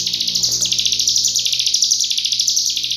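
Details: Cigun master song in full rapid close-fired style, meant for training magpie-robins and leafbirds: an unbroken, high, buzzy stream of quick pulsed notes with slight wavering pitch, over a low background hum.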